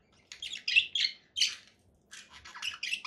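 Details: Conure parakeet calling in short raspy squawks, a few spaced notes followed by a quicker run of chattering screeches near the end.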